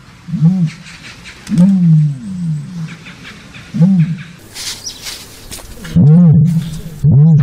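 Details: Deep resonant moans from a common ostrich, Struthio camelus: six low, arching booms in irregular succession, some drawn out, with brief bursts of hissy background noise between them.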